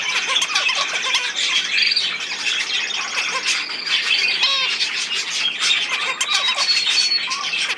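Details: Budgerigars warbling indoors: bright, fast twitters mixed with drawn-out buzzy whistles and quick rising and falling notes from several birds at once.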